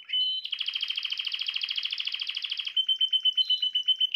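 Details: Male canary song used to make a female canary take mating posture fast: a short whistle, then a long fast buzzy trill of rapid repeated notes, ending in clear whistled tones and chirps.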